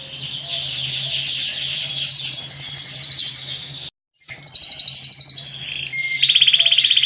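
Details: Loud-voiced ringed Yorkshire canary in full song carrying a cililin fill: varied chirps, a rapid high roll, a brief silent gap, then more fast trills and a lower rolling tour, with a steady hum behind.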